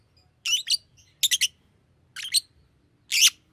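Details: Lovebird kept as a pet chirps in paired harsh, buzzy high notes, four short bursts spaced roughly a second apart against a faint low hum.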